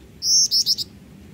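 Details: Black-winged flycatcher-shrike in active song as a tutor bird: a drawn-out high thin whistle, then three quick shorter notes, shrill and tinny, with low background hiss.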